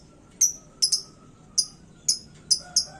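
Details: Caged lovebird hung high in heated song meant to rile other birds: sharp, piercing high chirps, some doubled, repeated irregularly about every half second.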